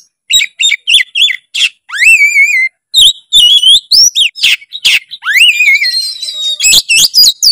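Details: Oriental magpie-robin in full, constant song with rich filler phrases, used as a training recording: sharp chips and buzzy notes, two long rising slurred whistles, then quick chattering bursts near the end.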